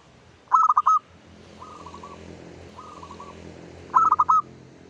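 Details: Zebra dove, local bird, heard at dawn as a lure song: loud stuttering coo phrases of quick pulsed notes open and close the passage, with softer trilled runs between them over faint background noise.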